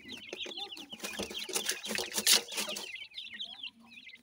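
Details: Francolin (teetar) chicks, several together, giving a dense chorus of short, high peeping notes that rise and fall in quick succession, fading to scattered peeps near the end.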